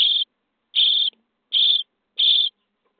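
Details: Common starling chicks in the nest box on day 23 give four short rasping begging calls, each roughly three-quarters of a second after the last.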